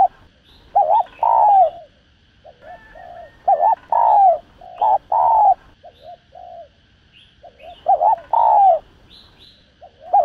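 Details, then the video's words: Spotted dove 'thúc gù' coos for stirring decoy birds during trapping: clustered low hoots and slurred falling coos in uneven bursts, softer coos between, and faint thin high chirps of other birds above. "Tiếng Chim Cu Gáy Thúc Gù Cực Sung Kích Mồi Kích Bổi Cay Cú.cu đất, cu cườm gáy"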